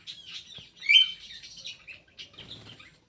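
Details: Kidangan kaso kaso bird in an aviary, giving a dense run of rapid chirps and whistled slurs with one bright rising note near the middle. A soft low rattle follows toward the end.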